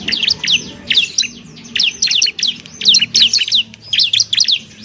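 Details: Training song of a bar-winged prinia (ciblek) for other birds: tight clusters of shrill, steeply slurred notes repeated in four bursts, with faint low hum beneath.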